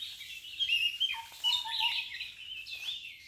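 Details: Red-vented bulbul feeding its young: dense, harsh, high chirps that overlap and waver for the whole stretch, with a thinner, lower whistled note sliding along beneath them midway.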